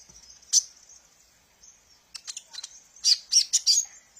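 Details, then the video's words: Sunbird, locally called kolibri ninja, used as a lure and training sound for young birds: sparse high, thin chirps, then a quick burst of sharp, tinkling notes near the end. "suara burung Kolibri ninja | suara pemikat burung"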